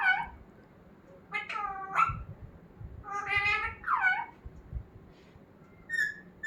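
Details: Pet parrot that talks, recorded indoors: a few separate voice-like phrases with stacked tones, some bending downward, and a short thin whistle near the end, with quiet pauses between them.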